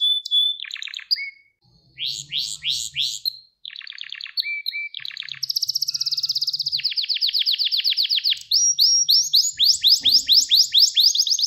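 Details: Gloster canary training song meant to stimulate and rouse males and teach young canaries to sing: rapid trills of repeated high chirps, sweeping notes and long rattling rolls, shifting between phrases over eleven seconds, with a faint low hum beneath.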